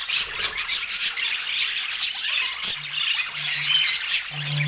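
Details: Colorful budgies eating sweet apple give rapid high twittering and squeaky chirps, while a low steady hum enters partway through.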